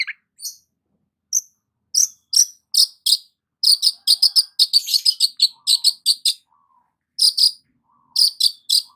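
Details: Long-tailed shrike sunbathing in the morning, singing in quick bursts of high, sharp chirps and buzzy notes, with short pauses and a few soft lower twitters between phrases.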